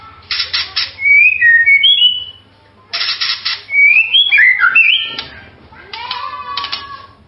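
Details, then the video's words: Melodious song of a White-rumped shama: a scratchy burst leads into rapid whistled trills and slurs, repeated in a second phrase, then a rattle and a low, drawn-out whistle. "MASTERAN MURAI SUARA MERDU"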